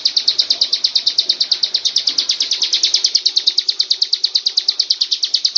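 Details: Master song of a Bar-winged prinia for training birds, a rapid, rhythmic chain of high, bright chirps at roughly seven per second, sustained evenly with only faint low background sound.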